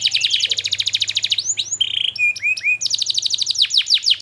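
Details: Canary singing a lure song for youngsters learning sounds: a rapid high trill, then upslurred whistles and a buzzy note, followed by another fast rolling trill of descending notes.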